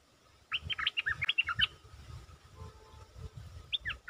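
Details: Stripe-throated bulbul lure bird sings a fast run of sharp chirped notes followed later by a brief pair, set against steady background noise and low rumbling thumps.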